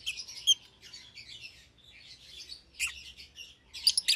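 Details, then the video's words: A young lovebird pair, euwing green opaline and albino with red eyes, kept together in a cage; a continuous, chattery twittering of high notes, rising into a few louder sharp chirps near the end. "Lovebird Chirping Sounds"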